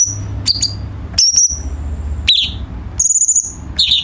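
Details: Cucak cungkok bulbul singing as a training tutor for home birds: a few high chirps, then a long, thin, level whistle, a sharp falling note and a bright buzzy phrase, with gaps between.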